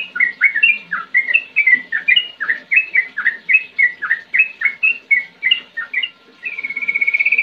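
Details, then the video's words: Sooty-headed bulbul in lively ngetir and ngerol singing style, a steady run of short bubbly whistled notes, many slurring downward, repeated several times a second, ending in a fast even trill. "Trucukan Gacor Ngetir NgeroL JUARANYA untuk Menjadikan Trucuk Gacor Muda & Macetan LANGSUNG NYAUT"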